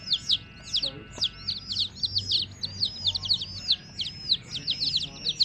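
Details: Young domestic chickens producing a lively chorus of thin, piercing peeps that drop in pitch, repeated quickly and unevenly, with a faint low murmur beneath.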